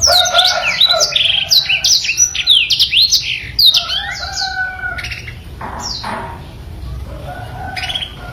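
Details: Black-throated canary, super active, in masteran song: a burst of rapid high chirps and slurred whistles mixed with lower warbled tones, then quieter, more spaced notes and soft low whistles.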